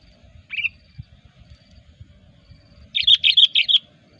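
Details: Lively sooty-headed bulbul lure call for trapping birds: one short bubbly note, a pause, then a rapid run of about six bright chirping notes, with faint low background noise.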